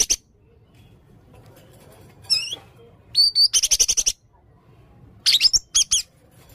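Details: Blue-crowned hanging parrot in full, energetic song with varied material: shrill, high-pitched bursts and quick warbled trills in short clusters separated by quiet gaps, with one wavering rising-falling whistle near the start and a fast pulsed run in the middle.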